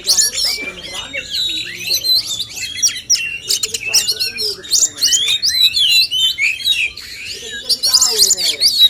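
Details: Contest singing of male oriental magpie-robins, used to spur fuller song; fast varied whistles, trills and chattering notes run almost continuously, with softer lower warbles in the middle.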